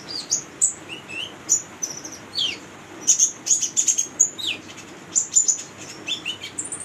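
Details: Lively song of a female brown-throated sunbird used to train young birds: high chirps, falling slurred whistles and dense clusters of sharp twittering notes, delivered in irregular bursts over a low background hum.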